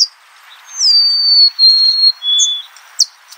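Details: Golden-crowned sparrow song: a long, clear whistle sliding down from high to a lower held note, followed by a short, lower whistled note, with faint chirps before and after.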